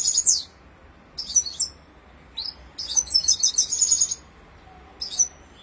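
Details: Red-fronted serin, or Himalayan finch, giving its rolling song in separate bursts of high, jingling twitters and short trills with silent gaps between phrases.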